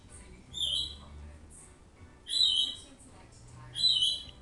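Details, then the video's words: A pet rainbow lorikeet calling in the background indoors, said to be jealous that other birds are out of their cage, gives three harsh, high-pitched screeches, each under a second and spaced about a second and a half apart. "Sorry, that bird you can hear in the background is Peter, my rainbow lorikeet."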